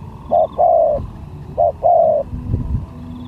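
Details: Spotted dove at a bird-luring skill contest, giving low hollow coos: a short note, then a longer drawn-out coo, with the pair repeated after a brief pause, over faint low background rumble.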